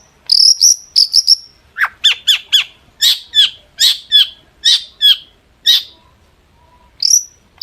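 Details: Excited long-tailed shrike song meant to provoke replies: high warbling notes open, followed by a steady series of sharp downward-slurred chips, a pause, then one high whistle.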